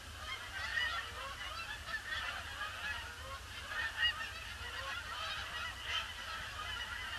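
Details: Canada geese circling a pond before landing on a gloomy Boxing Day; a softer, more distant-sounding chorus of overlapping honks, a few clearer single calls rising above it, low background rumble.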